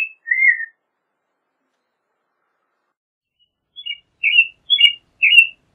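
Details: American robin giving one whistled phrase, then a long silence followed by a cluster of short, higher chirpy phrases in quick succession, no background noise.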